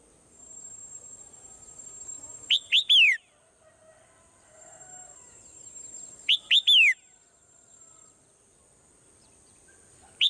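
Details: A swallow calling in the morning gives two full phrases about four seconds apart, each with two short chirps and a falling whistle, and the start of a third at the end. Soft rumbling background noise comes and goes.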